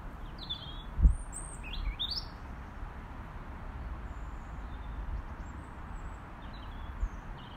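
A robin gives a few thin, high, sliding calls and short chirps, scattered irregularly, over a steady low rumble of wind or distant traffic.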